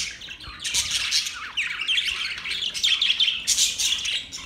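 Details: Several budgerigars chatter on a morning in October 2023, a busy tangle of high chirps, rapid warbles and short squawks, with the loudest bursts near the start and the end.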